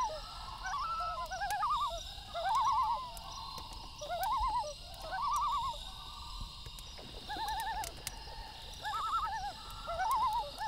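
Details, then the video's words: Loons calling at night beside a crackling campfire, giving wavering tremolo calls whose rapid quavering notes pulse in overlapping phrases about every two seconds, with steady fire crackle and hiss throughout. "1 Hour Loon Calls With Campfire Sound - Loon Calls For Relaxing"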